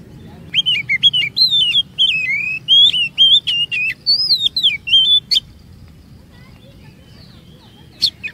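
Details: Oriental magpie-robin song meant to lure others of its kind into long singing; about five seconds of varied whistles, twisting slurs and clicks, then near silence with a couple of sharp ticks.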